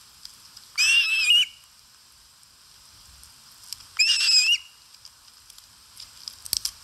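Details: Eating osprey on a Finnish nest in Satakunta, early August 2022, live camera recording. Two separate bouts of piercing whistled calls, each about half a second long and ending in an upward inflection, roughly three seconds apart, then quiet crackles.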